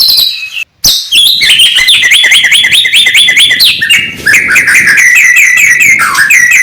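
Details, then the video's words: Morning white-rumped shama song: after a short harsh note and a pause, a rapid chain of rising whistled phrases repeats several times a second, then shifts into steadier warbling. "kicauan murai batu pagi hari cocok buat naikan emosi lawan"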